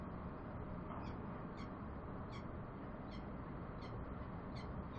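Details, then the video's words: Bellbird calls: clear, high, bell-like pings about every half to one second, each brief and ringing, set against steady low rumble. "Bell bird sounds"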